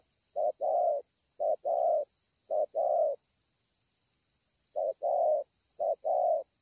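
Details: Spotted dove known as a 'bổi ngực sẹo', noted for its cooing, Ngọc Hồi, 25 March 2020: three short-long coo pairs, a silent gap, then two more, all low and husky above a steady insect hum.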